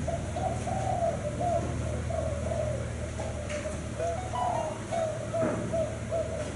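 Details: Spotted dove kept in a cage, a Thai-line bird said to coo often, giving a series of mellow, hollow coo phrases, some notes slightly rising, over a steady low hum.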